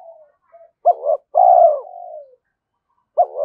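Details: Trained decoy spotted dove, calling to draw in and challenge wild males: a quiet murmur, a stuttered double note, a long strong coo sliding down into a fading tail, then a new phrase beginning.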